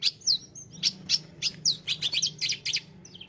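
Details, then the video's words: Tledekan gunung singing a run of sharp, high, downslurred chirps, about a dozen notes given in uneven quick bursts over a faint low hum. "tledekan gunung gacor"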